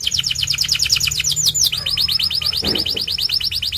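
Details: Song of a white canary: a fast, even series of bright, slightly descending chips, rolling on almost without a break, with a brief soft thump in the background.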